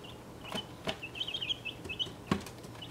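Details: Chicks one and a half weeks old of several breeds in a travel box, peeping in short high notes, with sharp knocks and thumps as they move about.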